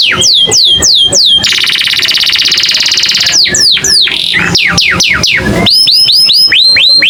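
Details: American canary song of rapid tours: fast runs of bright, downslurred whistles, a dense buzzy trill, then quick rising chirps, about three notes a second.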